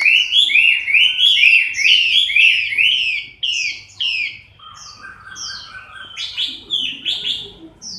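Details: Moulting Chinese hwamei recorded October 2015, delivering loud rich whistled phrases: a run of repeated rising-falling slurs, then clearer descending whistles and sharper notes, each short figure repeated before switching to the next.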